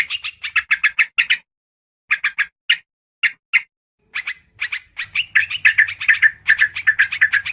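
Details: Lure sound of yellow-vented bulbul for trapping birds: clustered scratchy chirps in quick groups, a silent gap, then spaced single notes building into busy overlapping chatter, with a faint low hum toward the end.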